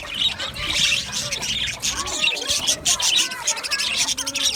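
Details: Aviary budgerigars chirping and singing together, a busy wash of bright, rasping high notes and quick trills with no pauses, several birds overlapping continuously.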